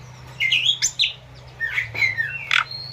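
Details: Asian pied starling song, a training recording for captive birds with pauses and added flowing-river nature sounds: scattered bright whistled and chattering notes in short bursts, some rising and falling, separated by brief quiet gaps.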